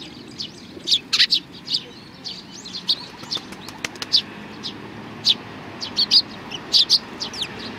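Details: Sparrows at a Tenmangu shrine, Japan, 22 May 2019: lively irregular chirping in short clusters, with a brief patter of wingbeats in the middle.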